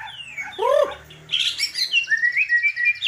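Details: White-rumped shama song with fill-in phrases: a loud downward-arching whistle, then a burst of harsh notes, then a series of rising whistled slurs repeated rhythmically.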